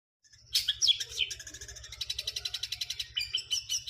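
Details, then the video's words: Long-tailed shrike singing with 'greja kuntilanak' material: a fast series of sharp, high chirped notes, about three per second, after a few buzzy squeaks, over a steady low hum. "Cendet materi Greja kuntilanak"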